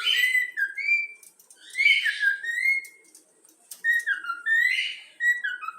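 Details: Yellow-cheek cockatiel chick, a trained pet, whistles the Flamengo club anthem in bright, warbling phrases of gliding notes that rise and fall, with a silent gap midway.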